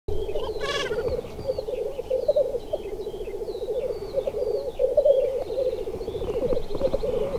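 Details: Black grouse males in display, giving a continuous low bubbling, cooing rookoo chorus that rolls on without pause, with a brief harsh harmonic burst near the start and scattered thin whistled and chirping notes above.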